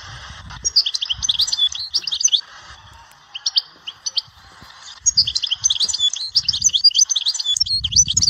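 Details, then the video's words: Goldfinch song recorded in the Dehouara area of Souk Ahras, with bright, jangling twittered phrases broken by short gaps, ending in a sustained run of fast, high chirps over soft low background thumps. "تغريد حسون"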